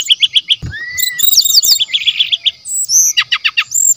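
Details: Brown-chested jungle flycatcher from the wild forest, natural song used as a lure and training material. Quick repeated high chirps, then a slurred whistle and rapid falling notes, then another series of bright chirps and short rising whistles.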